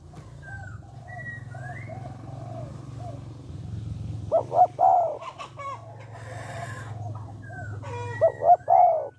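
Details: Spotted dove call used to stimulate males to call quickly: two loud, low three-note coo phrases over steady low rumble, with soft whistles and chatter from other birds and a brief harsh noisy burst.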